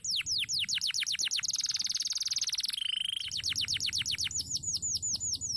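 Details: Crested canary in full, sustained song. Fast, evenly repeated high downslurred notes are broken by a rapid buzzy trill and a short steady whistle, then the repeated notes resume over faint low background noise.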